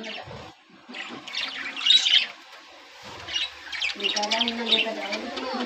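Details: At the start of breeding season, with eggs being laid, red-eyed, yellow and sky-blue budgies chirp and warble in uneven bursts, then a lower humming voice joins near the end.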